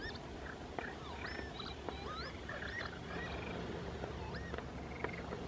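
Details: Mediterranean gulls at Gravera de Grulleros in April 2016: many overlapping nasal, slurred calls that bend up and down, several each second, over a steady low rumble.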